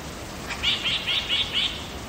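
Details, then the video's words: Wild lyrebird in Megalong Valley, Blue Mountains, Australia, giving a short series of five quick buzzy chirps at an even pace over a soft hiss of background noise. "Lyrebird song"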